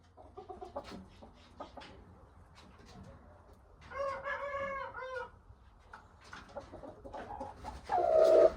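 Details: Young Aseel rooster, six months old, crowing once: a harmonic, slightly wavering crow of about a second and a half, preceded by scattered clicks and soft clucks, with a loud harsh burst near the end.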